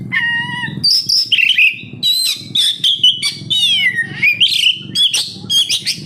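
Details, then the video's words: Oriental magpie-robin, a caged kacer, sings a lure song: a steady whistled tone, then varied slurred and warbled phrases with rising and falling notes in quick bursts. "Suara burung Kacer, cocok buat Pancingan Kacer bahan agar tambah Gacor"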